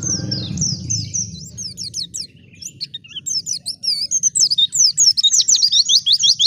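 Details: Wild white-eye, heard as bait to spark singing in other white-eyes. Sparse high notes open, then the song speeds into a dense stream of sharp, looping high chirps.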